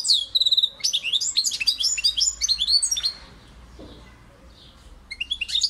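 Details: European goldfinch song: a thin, buzzy note leads into two seconds of fast, bubbling twitters and trills. A pause follows, then renewed high chirping at the end, over quiet background hiss.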